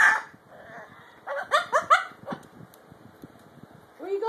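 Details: A pet Catalina macaw, starting to sing after its owner sings, warbles a quick run of four rich, rising-and-falling syllables, half-song and half-talk, with a person's voice heard quietly around it.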